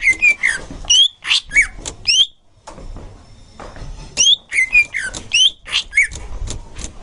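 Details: Green leafbird singing as a tutor for young birds: lively bursts of chirps and slurred whistles, a brief quieter gap in the middle, then another rapid run of varied sharp notes.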